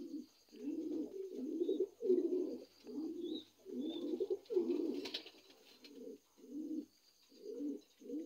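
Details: Rhythmic cooing of new adult Lahore pigeons, deep throaty phrases repeated roughly every half to one second, with a few faint high chirps in the background.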